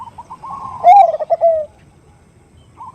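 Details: Zebra dove (perkutut), a female calling to the male with the nutut lure sound: a soft rolling lead-in swells into a loud, lower burbling coo that fades, then a faint note at the end.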